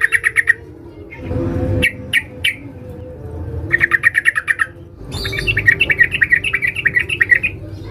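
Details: Sooty-headed bulbul female calling to a male: several rapid bursts of sharp, clipped notes, a few single chirps between them, ending in a long, fast chattering series over a low hum.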